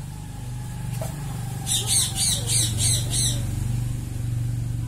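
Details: A budgerigar outdoors gives a quick run of harsh, scratchy chirps over a steady low traffic rumble.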